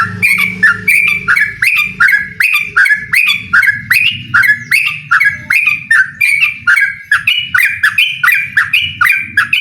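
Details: Yellow-vented bulbul song challenging a rival: continuous, chattering run of rich whistled notes with quick pitch flicks, evenly paced throughout, low hum in the background at the start.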